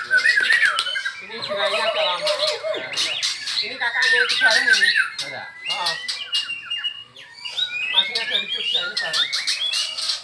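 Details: White-rumped shamas in cages during an afternoon training session with a bird from Medan; energetic, scratchy song of fast clicks, chatters and whistled fragments, nearly nonstop.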